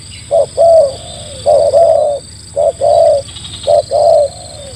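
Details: Spotted dove used to lure wild doves, cooing in repeated phrases of a short note followed by a longer rolling coo, four phrases in under five seconds, over a steady high electronic whine and low hum.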